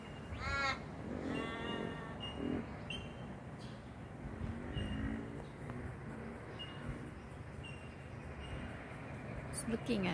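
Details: A raven or crow visiting a garden gives two harsh, nasal caws in the first two seconds, one short and one drawn out, followed by a woman talking quietly over faint outdoor background noise.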